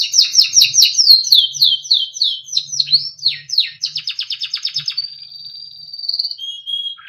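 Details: Timbrado canary song for training, from a small yellow bird: rapid repeated downslurred notes sliding into fine fast trills, then a long even whistle dropping to a lower held tone; soft low knocking in background.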